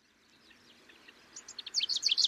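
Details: Middendorff's grasshopper warbler song in Kaohsiung, Taiwan, 25 May 2023: soft high chips that build into a loud, fast burst of sharp, scratchy notes in the final second.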